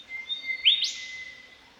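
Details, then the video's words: Australian golden whistler singing in spring: one clear phrase, a long, steady high whistle broken by a loud, sharply rising note, against faint background hiss. "Golden Whistler Call"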